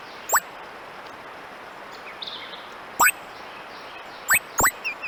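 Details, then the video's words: A titmouse gives electronic-sounding calls: sharp, steeply sweeping zips, single at first, then a quick pair near the end, with a soft twitter between them over quiet background hiss. "A Titmouse makes some electronic sounds!"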